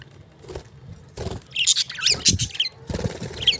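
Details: Lovebirds chirping: short high squeaky chirps and chattering bursts clustered in the middle and end, with soft thuds and rustling between calls.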